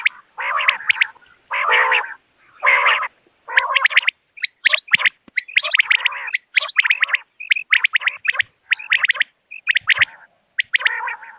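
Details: Common quail sound for luring birds. It opens with several harsh, broad rasping calls and moves into fast runs of clipped, high notes, with a faint steady high hiss through most of the recording.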